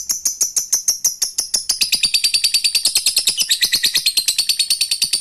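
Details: Lovebird fighter in a long ngekek trill meant to get other lovebirds singing: a fast, even chatter of shrill notes, several per second, rising into a denser, brighter rattle halfway through.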